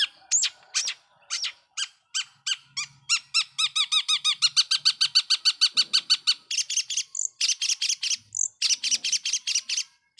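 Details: Long-tailed shrike lure song for stirring up other shrikes: scratchy notes speed into a fast, even chatter of short chipping notes, then end in a dense burst of buzzy, high squeaks.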